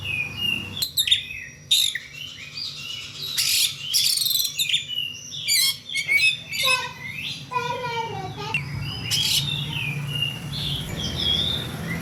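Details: Kacer (magpie-robin) calling in full play: bright whistles, harsh scratchy bursts and quick falling trills in varied, rapid phrases, with brief human voices and a low background hum.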